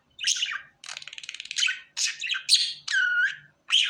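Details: Budgerigar kept as a pet, described as happy, mixing a rattling, stuttered chatter with squeaky chirps and a smooth, drawn-out whistled note.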